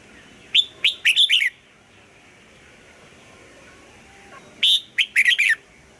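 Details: Red-whiskered bulbul in morning song practice, double-note style of an old wild bird: two short phrases of rich slurred whistles, about four seconds apart.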